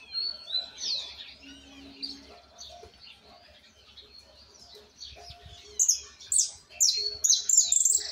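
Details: A young Argentine white goldfinch practising an unfinished song. It gives quick descending whistled slurs, then a quieter stretch, then loud shrill buzzy bursts in the last three seconds. A faint low hum runs underneath.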